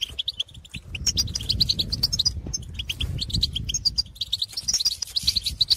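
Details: Goldfinches calling in open country to birds of their own kind, a dense stream of high twittering and tinkling notes over a steady low rumble of background noise.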